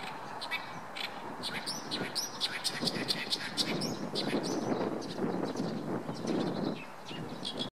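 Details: An Oriental reed warbler at Shinkai rice paddies on 7 May 2014 sings a loud, harsh chattering song of rapid repeated notes over a broad background rumble.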